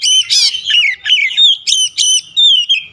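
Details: Continuous oriental magpie-robin song serving as a rival lure: rapid, varied whistles and harsh notes in tight bursts roughly once a second, loud and clear.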